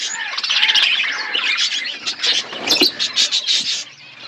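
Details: Budgies chirping in a colony setup, a loud tangle of high twittering, scratchy squawks and quick repeated chirps from many birds, fading slightly at the end.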